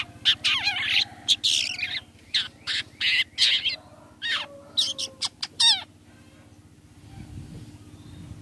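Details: Long-tailed shrike lure call, used to draw other shrikes into answering: a run of harsh, scratchy bursts and sharp rising notes at an even pace, then quiet with a low steady hum underneath.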